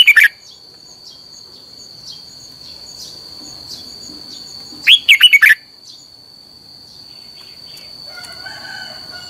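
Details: Red-whiskered bulbul song used for voice training of other bulbuls. It opens with a brief clipped note, then comes one quick warbled phrase of about five liquid, bouncing notes midway. A steady high thin whine runs throughout over faint background hiss.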